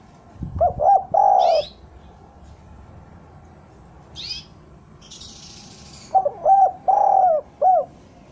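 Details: Lure recording of a spotted dove: two cooing phrases, the first two short notes and a long coo, the second a longer run of short and drawn-out coos ending with an extra note, with sharp high chirps from other birds.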